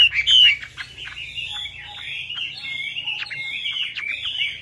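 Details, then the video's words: Chinese hwamei lure song: a continuous high, scratchy warble with thin whistled strands over a steady low hum. "PANCINGAN WAMBI MACET"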